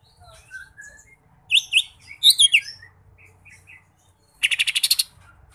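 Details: Green leafbird (cucak ijo), mini jamtrok style with kapas tembak filling: thin whistled slurs, then loud looping high phrases, softer twitters, and a rapid rattling trill of about eight notes near the end.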